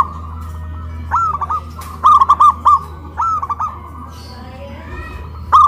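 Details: Loud cooing of local zebra doves hoisted on a pole in West Java, comparing a big voice and a crystal voice; several short rolling coo phrases over a low steady hum.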